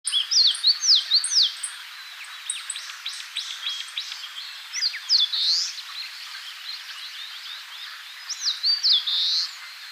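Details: Eastern crowned warbler, wild, singing in Tainai, Japan: several phrases of quick high downslurred whistles, each ending in a bright buzzy slurred note, heard locally as "chiyo chiyo bii", with fainter chirps from other birds behind.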